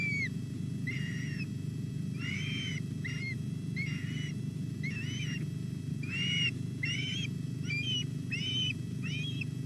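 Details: Osprey chicks at a nest at Llyn Clywedog, Wales, filmed at 06:40 on 27 July while an adult brings a whole large fish: clear whistled, slightly rising calls repeated about twice a second over a steady low rumble.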